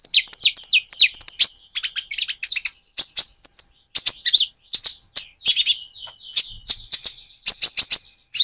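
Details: Actively singing Van Hasselt's sunbird in mottled plumage, used as a lure for another sunbird: long, continuous outpouring of high thin whistles, falling slurs and sharp chirps, delivered in rapid phrases with short pauses.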